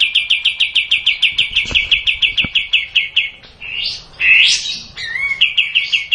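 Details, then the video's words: A bulbul known locally as kapas tembak sings a fast chattering trill of repeated notes lasting about three seconds, followed by a few squeaky upslurred and downslurred phrases, then the rapid trill starts again. "Kapas tembak panjang"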